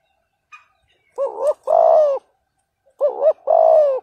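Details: Spotted dove giving a 'thúc gù' provoking call meant to stir up a rival bird. A short wavering two-pulse note is followed by a sustained, gently descending coo. The phrase comes twice in quick succession against a silent background.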